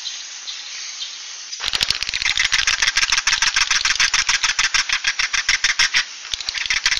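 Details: Swiftlet 'suara inap' roosting sound: soft high twittering, then after about one and a half seconds a loud pulsed chattering that repeats rapidly, about three pulses a second.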